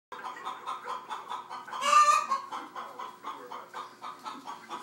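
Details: Chicken clucking in a steady run of short, harmonic clucks several times a second, rising to one louder, harsher squawking burst near the middle before the even clucking resumes.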